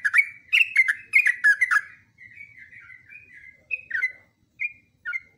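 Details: Energetic long-running ropelan song of a yellow-vented bulbul used for training: a burst of loud chirpy, gurgling notes, then softer rambling warbles, then scattered clear notes after short pauses. The background is quiet.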